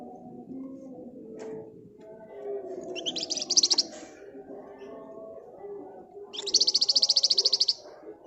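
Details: Flamboyan bird in gacor ngebren nyerecet song: after quiet moments, a short high ringing trill bursts out, followed later by a longer rapid run of about a dozen piercing notes, with a constant low background hum.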